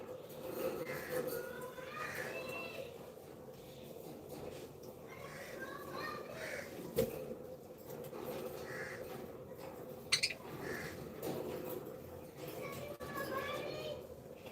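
Budgerigars chatter in short, warbling chirps and squeaks over a steady low hum.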